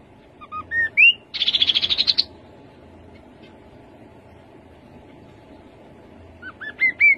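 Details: Rufous-capped babbler giving rising whistled notes and a quick buzzy trill, then a long pause before another short run of upward-stepping whistles.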